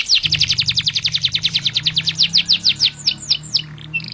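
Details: Energetic canary song meant as a master for training birds: a long run of quick, evenly spaced high chirping notes that slow toward the end and finish with a few sweeping whistles, over a faint low hum.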